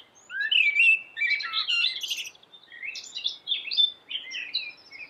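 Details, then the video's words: A yellow-billed common blackbird sings sweetly and vigorously: a loud, fluting warbled phrase with fast sliding notes, then broken, higher chattering fragments and squeaks after a brief drop in volume. "suara merdu common black bird"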